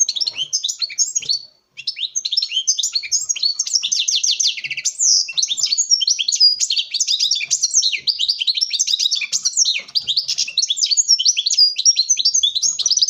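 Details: In a breeding setup, a male European goldfinch sings to a female in a long, almost unbroken stream of bright, twittering high notes, fast trills and rattling chirps. The song barely pauses for over thirteen seconds.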